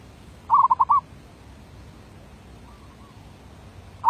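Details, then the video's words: Decoy zebra dove delivering the derak labuh song: a tight run of about five rolled, purring coos, then near silence with one faint note before another phrase begins at the end. "Suara b derak labuh"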